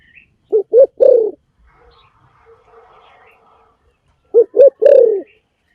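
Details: Spotted dove cooing, recorded as a decoy sound: two phrases about four seconds apart, each two short low coos then a longer drawn-out coo, with a faint buzzy murmur between them.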